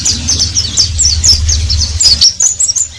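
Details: Oriental white-eye twittering ngeriwik song, fast very high chirps tumbling together, over a low steady hum that fades near the end.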